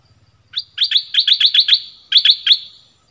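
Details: Quick, ringing chirps from a red-whiskered bulbul come in two bursts, the first of seven or so notes, the second of three after a short pause, each note bright and slightly down-slurred.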